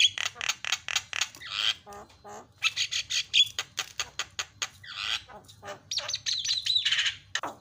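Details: Javan myna in fast 'gacor' chatter, said to make other mynas sing right away: rapid harsh clicking and rasping notes in dense runs, broken by several longer hoarse squawks.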